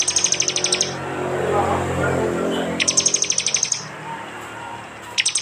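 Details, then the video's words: Prinias in an East Java phone recording mixed with jali voices as a training track for cage birds: fast, even trills of high clicking notes, about eight to ten per burst, separated by a rushing low noise and a quieter gap. "masteran Tembakan prenjak jali keras"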